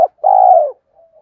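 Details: Lure call of a spotted dove for attracting wild doves: a long, steady, slightly falling coo after a clipped opening note, followed by faint soft murmurs.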